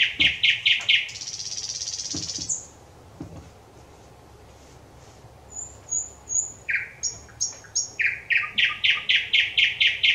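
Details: Singing thrush nightingale, 25 May 2021: fast rows of loud knocking clicks, a hissing buzzy phrase, a quiet pause, then high thin whistles and an accelerating burst of sharp repeated strokes.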